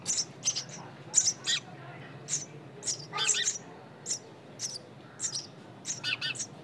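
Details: Nestling birds recorded without harm, giving thin, high chirps and squeaks in short bursts, some clustered into rapid trills, repeated irregularly every half second or so over a low steady background hum.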